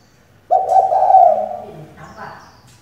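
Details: Female spotted dove kept as a decoy to stir males into cooing: one sustained low, slightly falling coo lasting over a second, followed by a fainter, higher, rougher note, in a quiet setting.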